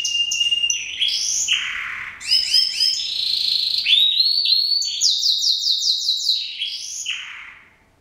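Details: Male canary singing continuously: a bright, high and varied song of sustained whistles, rapid rolling trills and buzzy repeated notes that shift in pitch from phrase to phrase, fading at the end.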